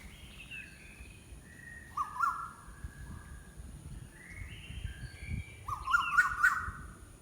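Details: Bird heard in scattered whistled phrases, some stepped and rising, others flat, several overlapping near the close, over steady low noise.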